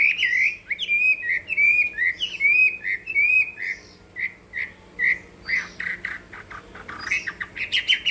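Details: Chinese hwamei fighting song (hót đấu): a run of repeated slurred whistles, each about a third of a second, then spaced single clear notes and a final burst of tumbling phrases.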